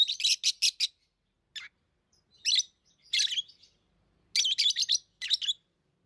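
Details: Tame lovebirds open with four quick, piercing chirps in a row, then give scattered harsh chatters and a final run of several rapid notes.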